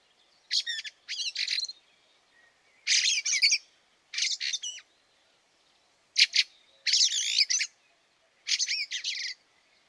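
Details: Fieldfare in snow at Liepāja, Latvia, March 2023, giving repeated bursts of harsh, squeaky chattering notes, each burst about half a second long and separated by pauses of one to two seconds.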